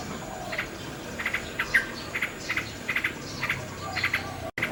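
Common nightingale giving short, clicky chirps in pairs and triplets, roughly every half second, over a steady high insect-like hiss and soft background noise.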